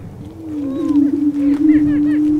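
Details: Lesser prairie chicken roosters on display before a hen, Kansas Flint Hills: a rising low booming tone joined by a series of arched whooping calls and short high cackles in the second half.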